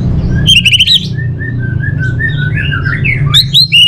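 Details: Orange-headed thrush kept for song training in Bali: a quick series of repeated high notes, then soft wavering whistles and varied warbling, with steady low hum behind.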